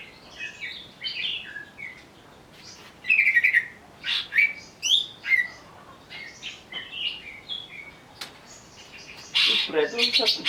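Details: Greater green leafbird (cucak ijo), provoked to sing in agitation, gives varied whistled phrases, slurred sweeps and sharp chips in loose bursts, ending with a harsh rapid chatter.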